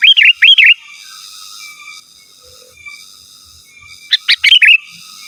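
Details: Sooty-headed bulbul calling rivals, opening with two rolling looped whistles, then a pause and a fast phrase of sharp notes ending in a bubbling warble.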